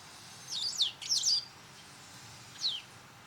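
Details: Garden white wagtail in autumn, when territorial fights are intensifying, uttering two quick, high, descending double-note calls close together, then a single similar call after a pause.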